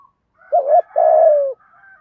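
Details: Spotted dove coo, 'thổ thúc gù' style, for stimulating newly caught doves to coo: one deep phrase of a short wavering note and a longer coo gliding down, with faint higher overtones and quiet soft notes after.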